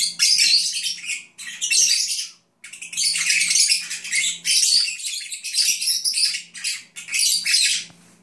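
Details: Napping pet lovebirds (Agapornis) give a steady scratchy twitter, loud chattering phrases of one to two seconds separated by short silences, over a soft low hum.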